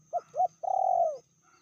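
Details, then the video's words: Spotted dove hen, said to be more aggressive than the male, with a medium-pitched call: two quick arched notes, then a long sustained coo that slowly falls off at the end. "Betinanya lebih ganas dari jantannya/bl suara sedang"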